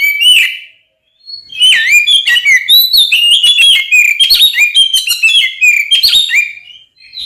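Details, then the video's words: Singing Oriental magpie-robin, fighting song used as a lure to make other magpie-robins emotional; dense varied whistles, twangy slides and fast chirps poured out continuously after a brief opening phrase and gap. "SUARA BURUNG kacer gacor NGEPLONG TARUNG konslet ini paling AMPUH buat PANCINGAN KACER agar EMOSI"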